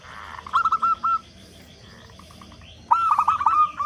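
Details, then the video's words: Local zebra dove, a loud, strong-voiced bird whose call is used to prompt other doves to start calling. It gives two cooing phrases: a few short clipped notes running into an even staccato trill, with a quiet gap between them. "Perkutut Lokal Gacor Suara Besar Pancingan Burung Perkutut Agar Cepat Bunyi"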